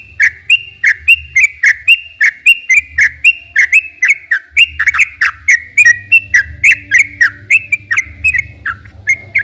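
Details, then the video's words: Sooty-headed bulbul singing continuously, played as a lure for captive bulbuls: rhythmic whistled notes, each a quick low swoop followed by a higher flat tone, repeated steadily for the whole stretch. "kicau suara burung trucukan gacor ropel panjang"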